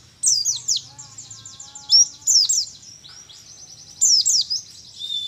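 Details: Wild-caught juvenile Mountain white-eye native to Mount Ciremai, West Java, in training for about a month: bursts of sharp, high descending whistles and rapid trilled chips, separated by short pauses.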